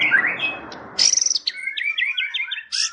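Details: Champion competition white-rumped shama performing tembakan: a noisy burst opens, then piercing high chatter followed by a rhythmic series of clear, repeated up-slurred whistles and a final shrill flourish.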